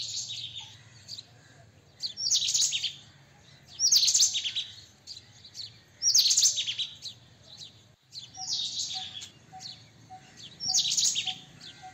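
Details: White-throated kingfisher: five loud, scratchy, shrill bursts come about every one and a half to two seconds. A faint, steady lower pipping continues through the second half.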